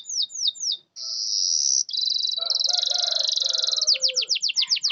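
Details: Canary singing to draw out lazy or silent canaries: a few falling whistles, then a long high buzzing trill with lower chatter, ending in quick descending sweeps.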